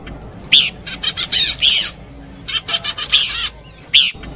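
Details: Horsfield's babbler song for luring birds, short harsh chattering bursts with bright whistled accents, delivered in separated phrases.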